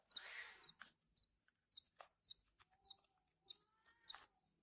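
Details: Horsfield's bush lark nestlings being hand-fed: a loud rasping burst first, then spaced high squeaky chirps, with a brief low whine and a thin whistle sliding down in the middle.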